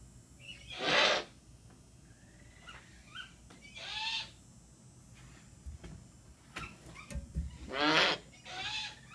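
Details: Captive Ural owl, a young bird described as quite strong-tempered, giving a series of hoarse, rasping calls about every three seconds, with faint high chirps between them and a steady background hum.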